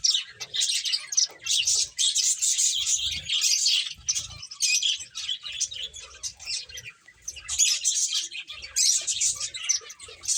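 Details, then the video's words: Playing finches keep up continuous high twittering and chirping, bursts swelling and fading over ten seconds, with faint low thuds in the background. "Cute Birds Chirping Sounds | Beautiful Finches Playing"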